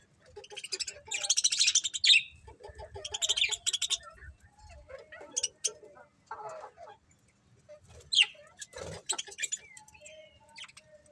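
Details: A happy colony of budgerigars chirping: bursts of buzzy, high chattering warble alternate with short sharp chirps and a quick whistled upsweep near the end, against low background thumps.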